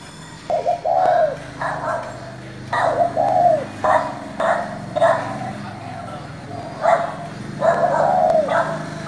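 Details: Spotted dove with the 'giọng thổ' voice calling to provoke other doves: repeated low coos with curved falling endings, interleaved with loud rhythmic tapping or thudding bursts about every second.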